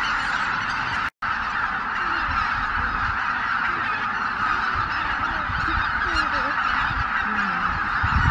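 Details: Dawn at Miyajima-numa, 23 April 2017, as more than 83,000 Greater white-fronted geese leave the roost in poor weather: a dense honking chorus running throughout, broken once by a split-second gap near the start.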